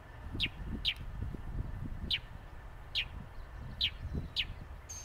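A northern mockingbird gives six short, sharp chip notes that drop slightly in pitch, spaced unevenly about a second apart, over a low rumble of distant traffic.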